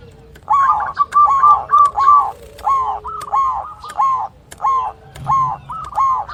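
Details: Local zebra dove with a big voice, singing to call a rival and used as a lure for birds that stay silent: rounded, slightly hoarse cooing notes repeated at roughly two per second over a faint steady hum.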